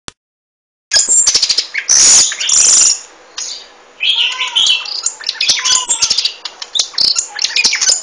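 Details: Golden-fronted leafbird singing: after a silent start, loud harsh bursts give way to a varied stream of high chirps, twitters and a few lower descending whistles.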